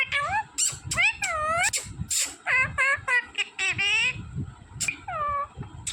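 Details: Smart green parrot talking like a human: a string of short, speech-like syllables with rich harmonics, some rising and falling in pitch, in a small indoor room with a faint steady high hiss.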